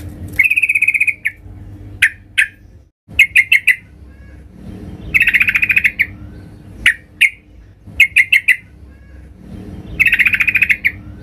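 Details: Female sooty-headed bulbul calling to the male: harsh, buzzy notes near two kilohertz with strong harmonics, given in bursts about a second long, separated by short sharp chips and clicks, against a faint steady hum.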